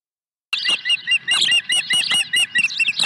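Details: Osprey at the nest, 23 April 2020, arriving with a second fish: a rapid run of loud, piercing, whistled chirps, about two to three per second. Each note is slightly slurred, with harsher squeals mixed in.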